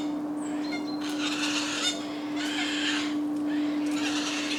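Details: Eurasian Jays at the nest feeding young in Padarn Park woodlands, July: broad, noisy rasping bursts of uneven length, preceded by a few brief thin whistles from another bird, over a constant low hum.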